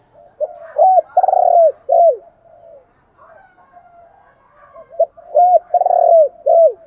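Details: Spotted dove, a decoy bird calling to stimulate wild doves to answer, gives two cooing phrases: short hooked coos, a long buzzy trilled note that falls at its end, then a final curved coo, with soft murmurs between.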